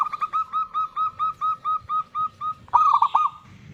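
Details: Local zebra dove, used as a lure to draw song from other doves, repeating clear rounded coos about four per second before breaking into a quick, bubbly rolling phrase.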